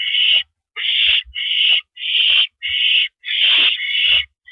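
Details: Owl sitting on a porch perch on April 9, 2012 at 8:17 PM, from a live camera: harsh, raspy hissing screeches about half a second long, repeated about six times with uneven gaps, plus faint low knocks.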